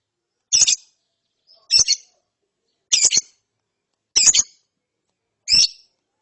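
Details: Lovebird chick after therapy: five rasping high chirps, each split into quick pulses, repeated about every 1.2 seconds.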